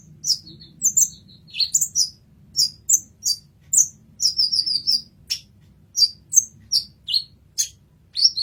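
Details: Olive-backed sunbird (kolibri ninja) recorded as masteran tutor material: very high, thin chirps and short sweeping notes, some falling, delivered in quick separate bursts over a faint low hum.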